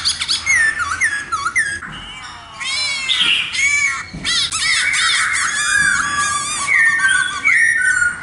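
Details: Loud, varied song of a black-throated laughingthrush: quick harsh chattering bursts mixed with long whistled sweeping notes and repeated slurred phrases, continuous throughout.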